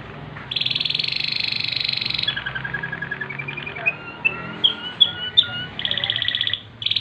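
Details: A Waterslager canary singing at night: a continuous rolling song of bubbling trilled tours, then a lower run of rapid notes and a few clear whistles before the trill returns.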